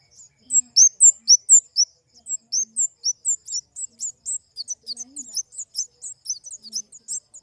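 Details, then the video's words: Flowerpecker singing a fast series of sharp, high-pitched chirps that start loud and spaced, then become softer and quicker, about four per second. "Suara burung kemade"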